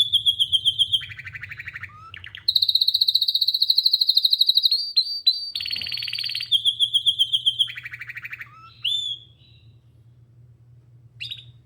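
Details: Canary song of rolling trills that switch between higher and lower tours, with buzzy bursts and brief pauses; a low mechanical hum comes and goes underneath.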